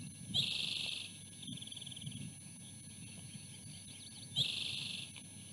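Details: Osprey female on the nest refusing to share her meal with her mate; two high whistled chirp bursts about four seconds apart, each trailing into a thin rapid series, over low steady background rumble.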